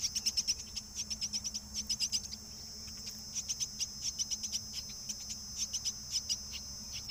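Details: Myna feeding its loud, hungry chick: rapid runs of short, harsh, high rasping calls in quick clusters, pausing briefly between bursts, over a steady high-pitched whine.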